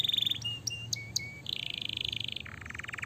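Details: Canary song played to make other canaries respond, somewhat faint: brief high trill, short flat whistles with clicks, a buzzy steady trill, then a lower rapid rolling rattle, with a low hum behind.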